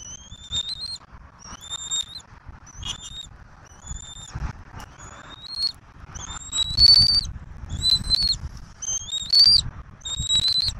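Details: Bald eaglet in a Southwest Florida nest as adults bring turtles for feeding, 15 March 2024. A series of about nine high whistled calls, each a short rising note, roughly one per second, growing louder toward the end.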